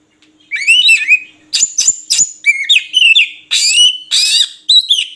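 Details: Oriental magpie-robin (murai kampung) singing: a sliding whistle, then fast alternating harsh rasps and clear warbled notes, phrases about half a second apart, with a faint low hum.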